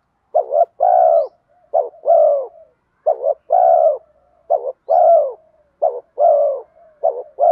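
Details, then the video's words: Decoy spotted dove with a bronze-toned voice, cooing rapidly to draw wild doves in. A short note is followed by a longer falling coo, and the pair repeats about every 1.3 seconds, six times, with a soft trailing murmur between. "Cu gáy giọng đồng pha thúc Gù Kèm Mắt Me rút chim bổi cu gáy rừng nhanh về cội"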